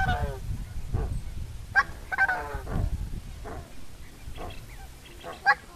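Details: Coscoroba swan song made of harsh, goose-like honks with rich harmonics. The notes come in quick uneven groups, some trumpeting and others lower and grunting, with a constant low-pitched rumble beneath.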